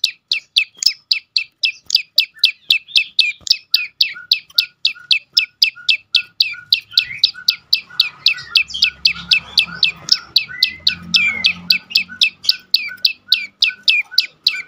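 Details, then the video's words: Song of a prenjak lumut prinia, used to stir silent birds into singing: steady stream of quick, high, down-slurred chirps, close to four per second, with a brief low murmur midway. "prenjak lumut lain makin tergoda berbunyi"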